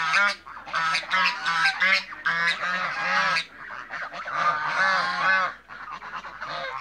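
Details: African geese, mature birds and youngsters together in a backyard, giving loud raucous honks: dense overlapping nasal calls in clustered bursts, fading briefly near the end.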